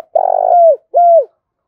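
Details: Spotted dove giving a lure coo for attracting wild birds: a long rolling, purring coo that slides down at the end, then a shorter falling coo. No other sounds.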